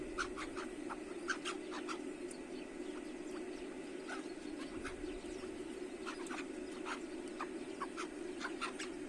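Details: Captive chukar partridges in a spacious aviary, calling when the sun came out after snowfall: bursts of short, harsh, clipped notes repeated in uneven series, several birds overlapping, over a steady low droning hum.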